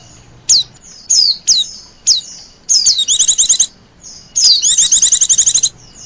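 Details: White-eye lure for wild birds opening with single sharp down-slurred whistled notes about once a second, then breaking into two longer bursts of rapid high chirping trills.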